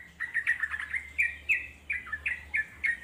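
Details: Wild trucuk (Yellow-vented Bulbul) in nature: a series of separate clear liquid notes, about three per second, some sliding downward, over a soft low hum.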